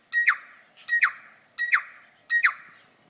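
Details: On an evening walk in an area with many tui, a tui sings one short phrase four times, roughly every three-quarters of a second: a brief steady whistle snapping into a harsh, sharply falling note.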